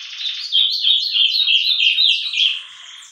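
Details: Meia-noite song of an ultramarine grosbeak (azulão): a fast, loud series of warbled, slurred notes, steady for about two seconds, then tapering off quietly.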